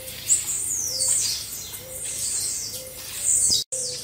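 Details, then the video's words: Blue-black grassquits singing together in a recording for training caged birds. Long, buzzy notes sweep down from high to mid pitch and overlap, and a low coo sounds at intervals. A brief dropout occurs near the end. "Baderna de Tiziu Ótima Para Foguear"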